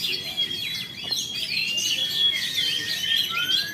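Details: Oriental magpie-robin, a caged bird in Jakarta, Indonesia, having completed its moult, giving a steady stream of shrill chirps and twittering notes, ending with a long rising whistle.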